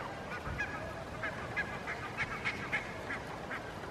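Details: A flock of barnacle geese graze on a lawn in Helsinki, Finland, in September 2022, keeping up soft, high-pitched conversational yelps. Several short calls come each second in a steady, overlapping chatter.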